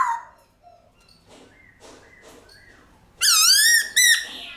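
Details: White-cheeked laughingthrush forest-style song meant to get pet birds singing: soft, faint whistled fragments at first, then two loud, rich, wavering whistled phrases near the end.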